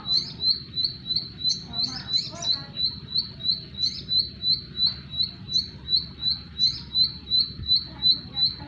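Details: Bar-winged prinia singing: a fast, steady series of short, sharp, high notes, almost three per second, with a few extra chirps mixed in over a low background hum.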